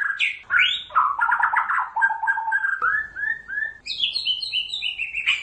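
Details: White-rumped shama in full, energetic song meant to provoke other shamas to answer, mixing slurred whistles, rapid chattering trills and high sweet notes in quick succession without pause.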